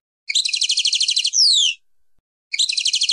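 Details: Singing European goldfinch, passade style: a long, rapid, buzzy trill flowing into a loud high whistle that glides downward, then the trill begins again after a short silence.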